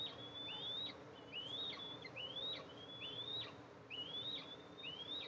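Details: At an Eastern imperial eagle nest recorded by camera on July 14, 2024, the mother comes to feed two eaglets. Upslurred, reedy whistles each end in an abrupt drop, repeating a little faster than once a second against steady low noise.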